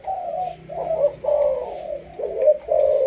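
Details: Spotted dove from Malaysia with a 'sấm thổ' voice, kept as a decoy, uttering a few drawn-out low coos, some gliding slightly, each held about half a second.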